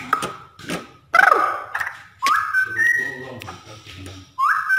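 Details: Cucak rowo, the straw-headed bulbul, heard as a master song for cage birds: rich whistles, some sliding upward and holding steady, in separate bursts with brief pauses.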